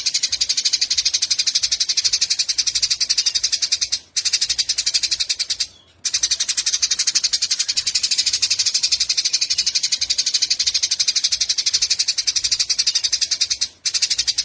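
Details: In a bird-training recording from Yogyakarta, dated 29 October 2022, a Eurasian tree sparrow keeps up a long, sustained 'nyecret panjang' chatter. Rapid, even, high-pitched buzzy pulses continue for many seconds, with a few short cuts of silence.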